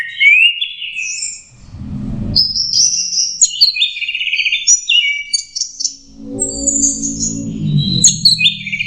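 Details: Learning to sing, a young orange-headed thrush delivers high warbling phrases and quick twittering notes with brief pauses, while low thumping and rumbling noises sound in the background.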